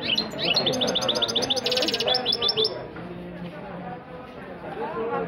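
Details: Goldfinch singing in a rolling manner: a rapid run of high, sharp twittering notes with a brief buzzy burst in the middle. It fades after about three seconds, over low background noise and voices.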